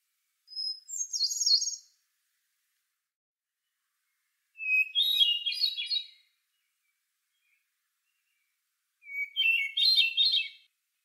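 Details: A Hermit Thrush perched on a branch sings three fluty phrases about four seconds apart, each pitched differently: a long clear opening note, then a rising, echoing swirl.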